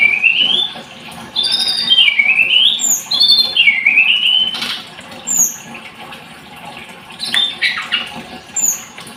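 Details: Blood-breasted flowerpecker (tledekan gunung) opens with a wavering, rising-and-falling whistled warble. Sparse high, falling tsee notes and brief chirps follow.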